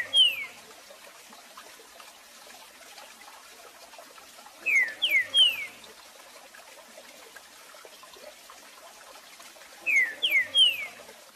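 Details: A Green-winged saltator sings a short, smooth three-note tournament song used to teach chicks: a phrase of three clear, falling whistles repeated about every five seconds.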